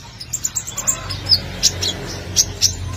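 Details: A sunbird's song used as lure audio to train other sunbirds gives thin, very high, sharp chips and short squeaky notes at an irregular, quick pace, over a faint low hum.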